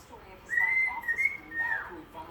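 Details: Pet bird, tired and wanting to nap, whistling a tune from a TV theme song: one clear high whistled phrase, level then gently wavering, lasting about one and a half seconds, indoors in a quiet room.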